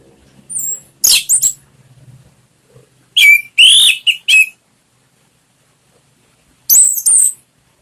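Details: Orange-headed thrush song as a lure for a kept bird: brief scratchy notes, then three loud whistled slurs, a pause, and a final pair of sharp high notes.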